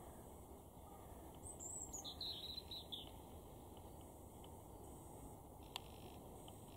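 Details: European robin in an October 2022 garden in Weener, East Frisia, far northwest Germany, giving one short, high, wavering phrase of thin descending notes lasting about a second and a half over steady low outdoor rumble.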